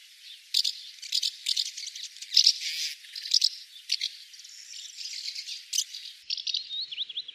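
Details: A swallow's song of rapid high chattering and dry rattles, with a few thin sliding whistles near the close.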